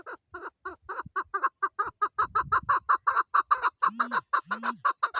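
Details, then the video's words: Female chukar partridge calling: a fast run of harsh, clucking chuk notes, roughly three per second, steady and slightly quickening, with two short low hooting sounds near the end. "Chukar sounds Chukar ki awaz female chakor calling Partridge voice"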